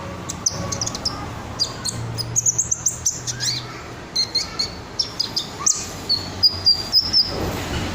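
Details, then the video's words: Red sunbird delivering high twittering notes and short sweet whistles, rising and falling quickly, in scattered bursts across a low-noise background. "Burung Kolibri Ninja Dada Merah Joss , isiannya Mantap , Red Sunbird"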